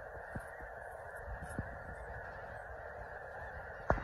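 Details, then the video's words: Geese gathered at Yolo Bypass give a steady wash of overlapping honks. Brief louder notes rise from the crowd, and a sharp, loud honk or knock closes the recording. "Geese at #yolobypass"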